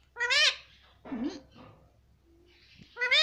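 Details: Pet Indian ringneck parakeet repeating "mummy": a loud harmonic wavering syllable opens and another closes the passage, with a low murmured voice and faint room noise between them.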